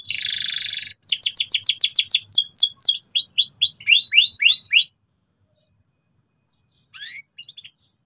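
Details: Canary with a persistent, loud ngeriwik song meant to teach young canaries: a brief buzzy burst, then rapid repeated sweeping upslurred notes about four per second, followed by silence and a few faint chirps.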